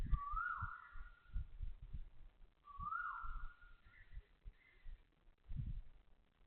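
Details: An Asian koel at 6:30 am on 20 October 2025 in Toa Payoh Lorong 8, Singapore, gives two loud whistled notes about three seconds apart, each rising sharply then held, with fainter notes after and low city rumble throughout.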